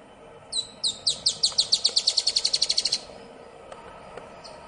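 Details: Rusty-backed antwren singing at Ferradura, Canela, Rio Grande do Sul, Brazil, on 4 October 2016: a rapid run of roughly eighteen sharp, high, clipped notes lasting about two and a half seconds, then quiet background.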